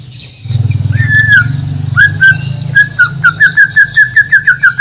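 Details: White-rumped shama of Borneo, a caged bird from Banjar bound for a song contest, gives clear whistled notes. Scattered at first, they settle into a steady series of short, bright whistles about three per second over a low hum.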